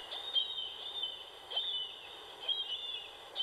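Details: Marbled Murrelet in an old-growth redwood grove at El Corte de Madera Creek Preserve, California, flying between its forest nest area and the sea, gives high, sharp keer calls in short bursts, about five in three seconds, over a steady forest hiss.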